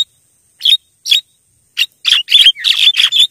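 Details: Javan myna lure calls meant to draw wild birds: a few spaced scratchy bursts, then a rapid run of harsh, buzzy high chattering notes packed closely together toward the end.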